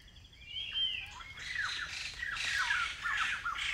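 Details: Blyth's paradise flycatcher, a migrant, in semi-evergreen community forest near Kulen National Park, Cambodia: a faint whistle, then loud harsh rasping bursts and scratchy downslurred notes run through the rest, with a forest insect hum behind.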